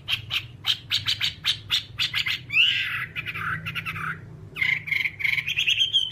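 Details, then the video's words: Whambie vocalising in a long training track for caged whambies: a quick series of harsh squawking notes, a drawn-out rasping descending phrase, then a rising whistled warble. "Masteran Whambie nonstop 1 jam"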